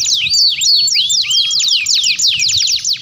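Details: Master training recording of a canary in full song: a string of sharp downward-swooping whistled notes, quickly repeated, with brief clear held tones between them.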